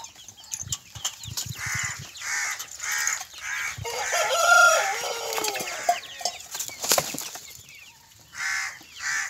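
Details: Kadaknath roosters (males) near Erode give short harsh clucks and a drawn-out crow that rises and then falls.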